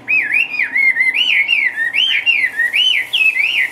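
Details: Caged Chinese hwamei, active and dancing, pours out a loud, steady sequence of wavy whistled notes, each rising then falling, repeated roughly three times per second without pause, with a soft hum behind.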